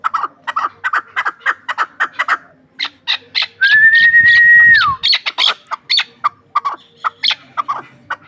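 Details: Chukar partridge kept for hunting, from Ishkoshim, pours out rapid repeated chuck notes at about three per second. A loud level whistle breaks in midway, then the clucking resumes.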